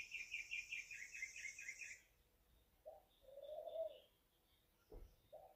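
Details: Juvenile American robin giving a quick run of warbling, chirping notes for about two seconds. Low cooing from a dove follows, with a brief soft thump near the end.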